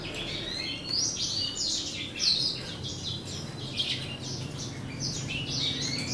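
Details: Breeding-season song from a hybrid of a male grey singing finch and a female black-throated canary. It is a quieter stream of high chirps and short twittering bursts, with a steady low hum underneath.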